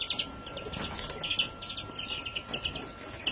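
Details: Juvenile European greenfinch, recorded 2017, uttering a string of short, sharp chirps in small clusters, spaced irregularly through the recording over light background noise.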